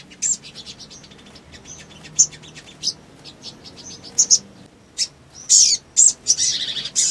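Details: Lively male sogon song meant to excite rivals: scattered thin high ticks and chirps, short twitters, then a burst of loud sharp squeaky notes and a buzzy trill near the end.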